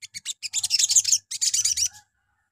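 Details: Sogon, or Crimson Sunbird, morning lure song meant to trigger replies from other birds: a few quick chips leading into two rapid, buzzy, high-pitched twittering runs.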